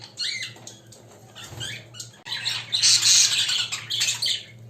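Budgerigars chatter in quick, scratchy chirps and warbles over a faint low hum.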